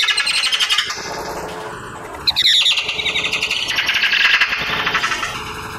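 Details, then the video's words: In autumn, on 17 November 2022, at a feeder in the city of Vannes, Brittany, a Eurasian magpie gives a harsh, rapid chattering rattle of about four notes a second, with a brief steady whine midway. "PIE Bavarde"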